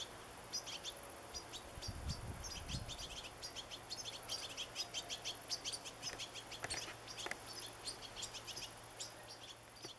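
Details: European goldfinch family with young in a garden on 27 August: busy high twittering and short chirps from several birds, overlapping and continuous, with a brief low thump near the start and a faint background hum.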